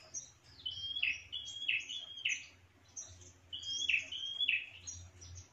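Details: Bar-winged prinia lure call used to attract other prinias: bright, high chirping phrases of a level note dropping into a sharp downward flick, repeated in two quick bursts with a short gap between.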